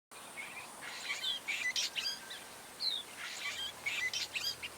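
Cape sugarbird giving a rapid jumble of scratchy, grating notes mixed with short high whistles, with a faint hiss of background noise.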